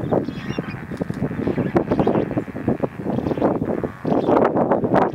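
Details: A dense flock of lesser flamingos in courtship keeps up a continuous chorus of nasal, goose-like honks and murmuring chatter, the overlapping calls swelling louder toward the end.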